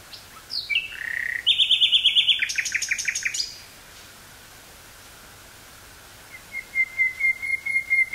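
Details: Nightingale song from woodland near Burgh-Haamstede, Netherlands, recorded 18 May 1983 on portable cassette gear: descending whistles, a rapid harsh rattling trill, a pause, then a series of clear repeated whistled notes.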